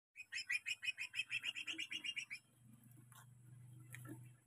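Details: Greater green leafbird song used as a lure for training caged birds: a rapid run of about fifteen bright chattering notes over two seconds, then a low hum and faint rustling.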